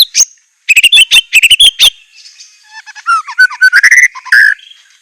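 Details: White-rumped shama fill song: a string of sharp clipped notes, then lower whistled and warbled phrases of varying pitch with short pauses between.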